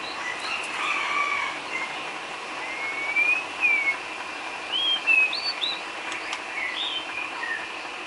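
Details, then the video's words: White-rumped shama filler song (isian) for training cage birds: a few clear whistled notes, some sweeping up and others curving down, spaced a second or so apart over steady background hiss. "Isian kicau burung murai batu"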